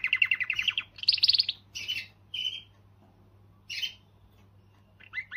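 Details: Canary singing to motivate females: two quick trilled bursts then scattered short harsh chirps separated by quiet gaps.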